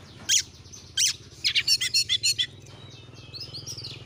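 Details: Oriental magpie-robin (kacer) song used as a lure to get a kept bird singing: a few sharp high chirps, then a quick run of six or seven bright, even notes, with faint further phrases trailing off.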